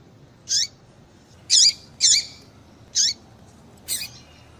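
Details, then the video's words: Female papa-capim (seedeater) call played to excite a male: five short, high, sharp chirps spaced about a second apart, each a bright squeaky note with a downward-sweeping tail, over faint background hiss. "Piado de Fêmea de Papa capim Para Esquentar Papa capim"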